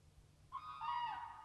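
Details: Common crane (Grus grus) in woody Finnish early-spring scenery gives one loud, rich trumpeting note breaking into a second, slightly lower falling tone, about a second long, over a quiet background.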